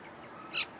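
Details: Common myna (Acridotheres tristis), introduced in Australia, foraging in a dried section of local wetlands, gives a single harsh, rasping note, brief and loud against a quiet background.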